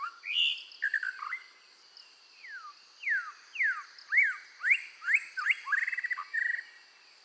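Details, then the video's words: Red-whiskered bulbul singing out during voice training to stir it up: loud down-slurred and up-slurred whistles spaced about half a second apart, ending in a brief rapid trill, with a faint high steady hiss behind. "tiếng chim chèo lửa hót căng luyện giọng kích lửa"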